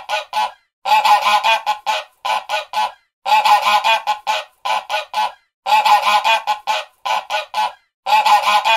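A goose honks in loud, nasal bursts of several quick calls, each burst separated by short pauses, with no other sounds.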